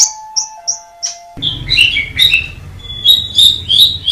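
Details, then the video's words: An Asian pied starling utters four clipped high whistles, then breaks into a jumble of warbled and slurred whistled notes over a low rumbling background. "JALAK SUREN KICAU SUNGGUH MEMPESONA"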